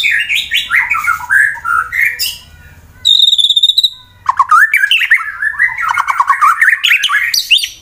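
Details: White-rumped shama fighter song from Wonosobo, Central Java, Indonesia, meant to stir rival birds into singing: rich fast varied warbling and whistled phrases, broken by a loud sustained high buzzy note lasting about a second, then more rapid tumbling notes.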